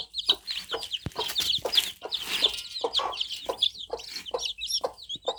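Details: High, insistent cheep-cheep notes from a cluster of newly hatched chicks, tumbling over one another almost continuously, with a sharp click and scattered rustling in the background.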